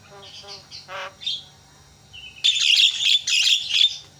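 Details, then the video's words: Javan myna lure call for prompting quiet mynas to sing: a few soft nasal, harmonic notes and a short whistle, then a sudden loud burst of harsh, grating chatter. "JALAK KEBO SUARANYA BIKIN JALAK PADA TERIAK"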